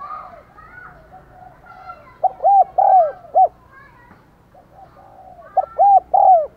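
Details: Decoy spotted dove giving thúc gù and gáy gọi calls to attract wild doves. Two bursts of three or four loud, rounded coos stand over soft background cooing and faint chirps.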